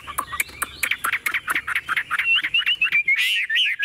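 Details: Tame caged Chinese hwamei with a strong voice, pouring out fast repeated chattering notes that turn into clear looping whistles.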